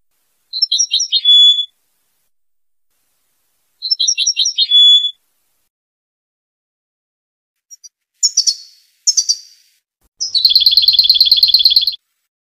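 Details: Tunisian European goldfinch song: two matching twittering phrases with buzzy endings, a few clipped chirps, then a long, fast, evenly repeated rattling trill lasting nearly two seconds.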